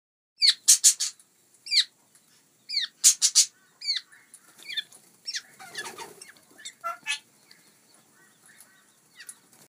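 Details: A female Australasian figbird (Sphecotheres vieilloti), hand-fed in 2018, begs for food with shrill, squeaky notes in quick clustered bursts, some rising and wavering, with faint rustling between calls.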